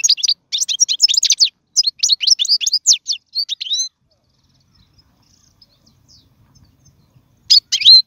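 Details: European goldfinch song for training fledglings: about four seconds of dense, jangling twitter and chipping notes, then near silence, then a short burst of bright notes resumes at the end.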